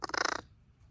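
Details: Neighborhood crows, fed by and bonded with a person, calling live: a single harsh, buzzy caw lasting under half a second, rich in overtones, followed by near silence.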